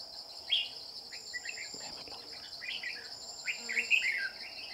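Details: Red-whiskered bulbul recorded while trapping with a decoy, targeting a bell-voiced male: scattered short warbling whistled phrases in two bursts, with a constant shrill insect hum behind them.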